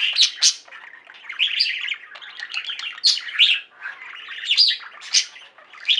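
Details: A pet budgie flock sings an unbroken stream of scratchy warbling, punctuated by loud high chirps and squeaks.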